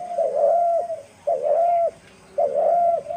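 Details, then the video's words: Dove recorded on March 28, 2024, with three loud, rounded coos. Each note is held about half a second and drops away at its end, separated by short pauses. "সেই মাইর ডাক ঘুঘুর ডাক"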